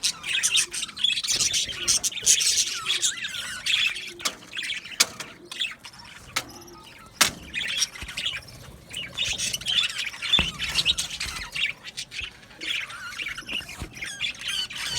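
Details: Budgerigars in an aviary colony chattering together: dense, overlapping warbled chirps and twittering that rise and fall in bursts, with brief quieter gaps and a few sharp clicks.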